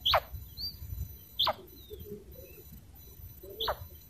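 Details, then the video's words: Female common quail giving short, sharp calls that slide steeply from high to low, three in about four seconds at uneven spacing, over a low rumbling background. "Female quail sound // madi batair ki awaz"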